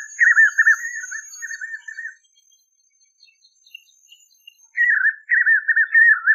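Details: A white-naped xenopsaris sings in the caatinga. A warbled, trilling whistle phrase with rapid wavering loops lasts about two seconds. After a quiet gap with faint high chirps, the phrase is repeated.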